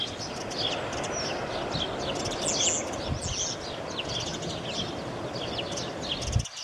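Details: Dawn chorus in May at first light: many small birds overlapping with high chirps, trills and short whistled phrases, over a steady low rumble of background noise.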